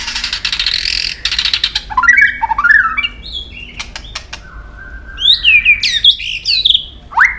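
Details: Singing white-rumped shama in competition style: harsh buzzy rattle at the start, then looping whistled slurs, a long steady whistle, and high rapid twisting notes near the end.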